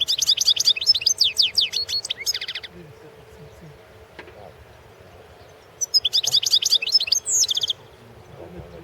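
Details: European goldfinch competition recording from the 2016 world championship in goldfinch song: two bursts of rapid, high, liquid twittering with tinkling notes and short trills, separated by a few seconds of quiet.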